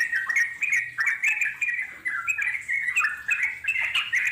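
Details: Wild yellow-vented bulbul giving extended chattering song (ngeropel panjang) used to lure wild birds into replying; rapid bubbly notes in quick bursts with brief pauses, bright chirps over a quiet background.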